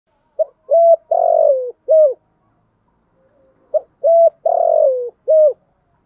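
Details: Spotted dove used as a lure to draw wild doves, giving two phrases of its call: a short note, a level coo, a long wavering descending coo, then a final falling coo, on a silent background.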